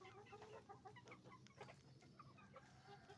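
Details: Roosters and hens at a chicken farm making noise: a dense chorus of short overlapping clucks and squawks from many birds, steady and busy throughout, over a low mechanical hum.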